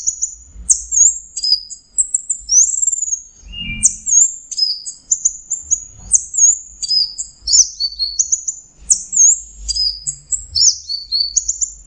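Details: Orange-headed thrush singing in 'teler' style: a long, continuous flow of high, thin whistles and quick twittering notes, closely packed phrases with tiny gaps, and a faint low hum throughout.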